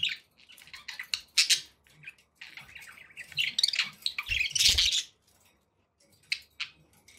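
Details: Captive budgies giving scratchy chirps and warbled chatter, loudest in a dense burst near the middle, then sparse short notes after a pause.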